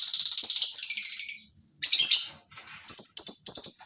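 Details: Lovebirds in a colony aviary at a breeding farm in the morning, with masked and Fischer's lovebirds among the kinds kept: a loud, dense chorus of shrill, high chattering chirps in bursts, briefly pausing before resuming.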